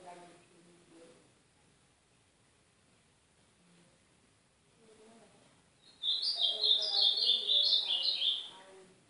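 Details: Training song of the ultramarine grosbeak in the Brazilian Northeast style for warming up a pet bird: quiet murmuring for six seconds, then a loud, rich phrase of tumbling sweet whistles.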